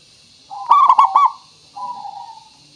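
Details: Zebra dove song used as a lure so other birds reply at once; a local bird with a clear voice. A single loud, rolling coo of three or four quick beats, then a softer drawn-out coo that fades. Light background hiss.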